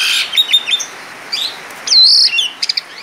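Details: Asian pied starling singing 'gacor' with rich 'isian' content: scattered high whistled notes and chirps, then one loud drawn-out buzzy whistle and a few quick closing chips.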